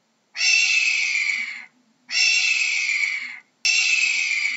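A hawk gives three long, harsh, hissing screams, each lasting over a second with brief pauses between, flat in pitch and very raspy.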